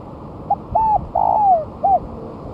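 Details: Spotted dove after a month of moulting, singing vigorously as a lure: a short coo, a bowed coo, then a long slurred descending coo and a final short note, mid-pitched and mellow over a low background hum.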